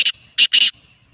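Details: Kala teetar, the black francolin, calling with three loud, rasping, noisy bursts, the last one longer and doubled, over a quiet background.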